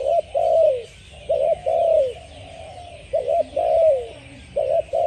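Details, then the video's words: A spotted dove sings a run of mellow coos. Each phrase opens with a brief hiccuping note and ends in a drawn-out note sliding downward. Four phrases come close together, with a soft hiss underneath. "spotted dove singing"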